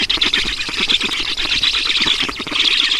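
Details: Black storks at the nest during feeding in Estonia, 11 June 2019 at 14:43: a dense, continuous, hissy squealing chorus, high and shrill, that rises and falls in loudness throughout.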